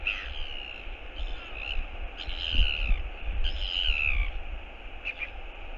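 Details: A northern royal albatross, OGK, returning to its New Zealand nest site on 11 February 2022, gives its skycall: drawn-out, nasal, braying wails repeated three times, then a few clacks, over steady wind rumble.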